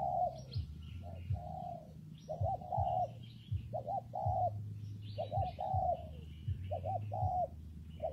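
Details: Repeated soft coos of a spotted dove during rainy, windy weather, paired quick notes then a sustained coo, with small birds chirping higher up and a deep continuous hum underneath.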